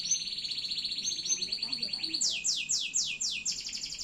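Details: Loper-style canary delivering long-duration song: a sustained rolling high trill gives way to steep descending sweeps repeated about four times a second.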